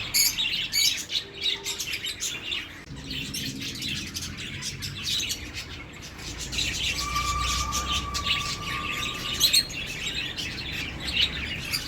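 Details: Continuous twittering of several birds, high chirps layered thickly, with a clear sustained whistle in the middle and a low background rumble.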